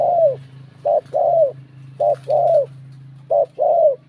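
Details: Bell-voiced spotted dove calling to rouse rival males. Three quick pairs of coos, each a short note followed by a longer, gently falling one, sound over a steady low electrical-like hum.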